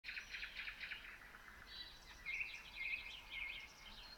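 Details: Common nightingale singing at 3 a.m. on 27 May 2018 at Red Hill, Voskresensk district, Moscow region, Russia: a fast run of repeated bright notes, then long whistled and rattling phrases, with other birds singing around.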